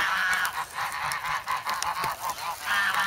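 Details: Noisy young geese in snow at an Amsterdam park on February 3, crowding for bread; steady pulsing chorus of harsh nasal honks, several overlapping birds calling almost without pause, louder again at the close.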